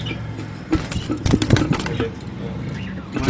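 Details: Low vehicle rumble with brief clinks and faint voices, no animal sounds.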